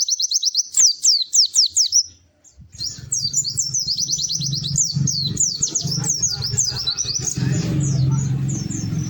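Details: Melodious white-eye song of high, quick, rising-falling chirps in rapid runs. A steady low hum builds up under the later part.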